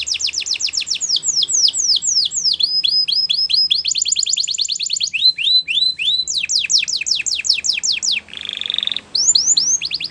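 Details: Belgian canary song meant as a tutor for young canaries: rapid high rolls of rising, sweeping notes, changing tempo and pitch in bursts, with a brief buzzy trill near the end; no other sounds.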